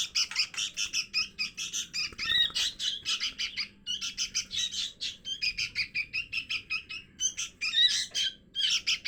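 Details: Sooty-headed bulbul chick begging calls, used as a lure for wild birds: rapid, buzzy, high chirps repeated in dense runs with brief pauses, steady throughout, no other clear sounds.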